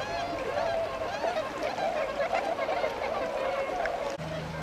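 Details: Tundra swans at Miyatoda pond, Azumino, Nagano, in February 2013, flying out to feed in the paddies; a dense murmur of many soft overlapping honks, ending with a brief click and steady low hum.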